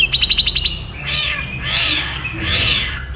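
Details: Long-tailed shrike, a songbird kept by enthusiasts, performing a fast, dense nyeklek-style song. A rapid string of about eight sharp ticking notes is followed by three drawn-out, cat-like mewing sweeps.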